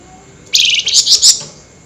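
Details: Flameback at night giving an excited, highly agitated nyerecet call: a harsh, rasping, high rattle of pulsed notes lasting nearly a second, then quiet with a low background hum.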